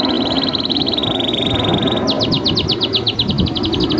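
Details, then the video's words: Canary song for teaching young canaries and reviving quiet singers: a rolling, slightly falling trill, then rhythmic bright downward sweeps repeated rapidly to the end, steady low background noise throughout. "Masteran Kenari GACOR Durasi Panjang‼️ COCOK untuk Pancingan Kenari PAUD dan Kenari MACET BUNYI"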